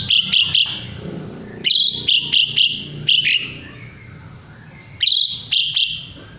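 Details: Captive Asian pied starling giving bursts of three or four sharp, high whistled notes, repeated after short pauses, in a song borrowed from the white-rumped shama, used to tutor other birds.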